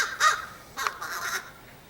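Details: Three short, rasping crow calls spaced under a second apart, recorded on 30 August 2015. Quieter calls follow a louder opening note, against faint background noise.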